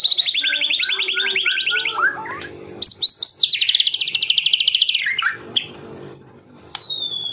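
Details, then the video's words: White-rumped shama (murai batu) singing in the rapid 'tembakan rapat' style: a long buzzy high trill, then a fast run of sharp repeated notes about six per second, ending in a clean descending whistle. "Tembakan Rapat Burung Murai Batu"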